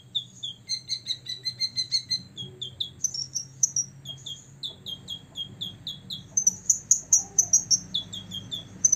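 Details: Olive-backed sunbird, a six-year-old male singing to provoke rivals: long series of high, evenly repeated down-slurred chips, shifting to rapid very high trilled phrases.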